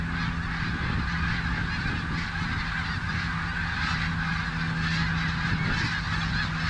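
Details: Snow geese on the Richelieu River: a dense, unbroken chorus of many overlapping nasal honks and yelps from a large flock, with a steady low hum and rumble underneath throughout.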